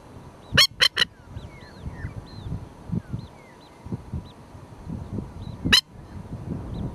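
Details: Masked lapwing (Vanellus miles), Australia, female at her ground nest with an hour-old chick: three rapid, harsh, rasping calls, then a lone one, softened as she is reassured no threat is imminent; faint high peeps, low rumbling.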